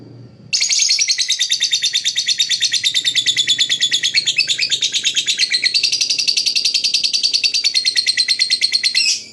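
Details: Lovebird chirping said to attract other birds: a continuous, fast stream of shrill, buzzy high chirps running for about nine seconds without a break, slightly shifting in pitch midway, ending abruptly.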